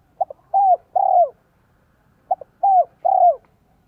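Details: Cooing spotted dove in the 'son, 1 cốt lỡ' style meant to draw wild doves: two identical phrases, a tiny double tap then two rounded, falling coos, separated by about a second of silence.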